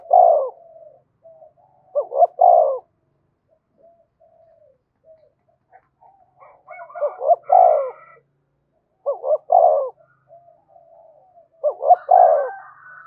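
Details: Spotted dove calling to stir up fighting, its phrase repeated about every two to three seconds: paired quick hoots ending in a longer, low coo, with faint higher murmurs between phrases.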